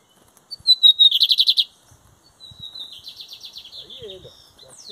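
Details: Caged lined seedeater in Brazil singing during the 2023 competition season, styles metálico versus torneiro: a loud, fast pulsed trill of rich notes, then a thinner whistle leading into a long, softer buzzy trill; a brief voice at the end.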